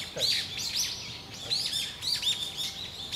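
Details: Eyebrowed thrush calling: thin, high chirps that rise and fall, packed closely and overlapping, with a faint low hum underneath.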